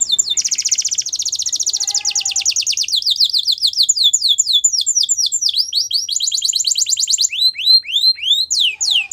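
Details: Belgian canary singing, recorded for canary training, with rapid runs of sharp, high, down-slurred notes in fast trills. The bird shifts between tours and adds a few lower rattling notes, all bright and continuous.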